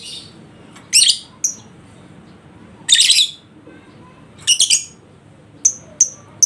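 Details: Lovebird calling to spur a reluctant bird into ngekek song: three short bursts of piercing high rattling chatter, then separate sharp clipped high notes spaced under a second apart.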